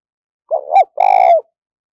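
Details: Spotted dove kept as a decoy bird, singing a wavering, rising two-part note, then a long burry coo that holds level and sags at the end. No other sounds are heard.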